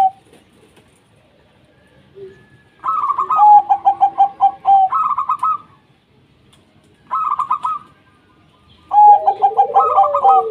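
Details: Local wild-type zebra doves singing as a lure to set other doves calling: overlapping phrases of quick pulsed coos at two distinct pitches, one higher and trilled, in bursts with short pauses between.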